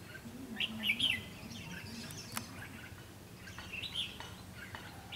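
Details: Red-whiskered bulbul used as a caged decoy to lure wild birds into a trap on 7 June 2016; short bright whistled and chirped phrases in two bursts, a quieter pause, then more notes near the end, over a low steady rumble.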